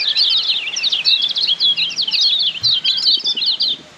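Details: Kecial kuning white-eye of Lombok, recorded as a tutor song for caged birds: an unbroken stream of bright, very high, fast tumbling notes lasting almost four seconds before fading out.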